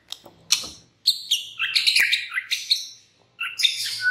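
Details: Lure song of a white-rumped shama meant to provoke other birds: rich, varied bursts of chattering and whistled notes in quick phrases, broken by short pauses.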